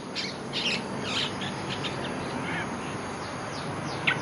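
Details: Olive-winged bulbul in a lure-call recording: short, bubbly chirping phrases in quick bursts, fairly faint over a steady hiss of background noise.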